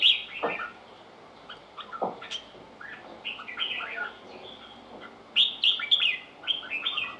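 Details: Red-whiskered bulbul delivering a string of short whistled and chirped phrases, varied and irregular, with occasional low thumping knocks underneath and a louder bright burst near the end.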